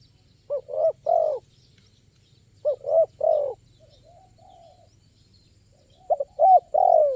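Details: Spotted dove (tekukur) at a lure site, singing a crisp, high-voiced song full of varied play and stutters: clusters of three short, rising coos with the last note longest, repeated about every two and a half seconds, with softer coos between; quiet background.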